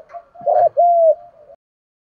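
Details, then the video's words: Spotted dove calling to provoke other doves to coo and fight, used by hobbyists training doves: a low double-noted coo followed by one long, steady hooting note that fades out, in an otherwise quiet setting. "cu gáy kích bổi nhanh nổi gù, tiếng thúc đấu rút bổi"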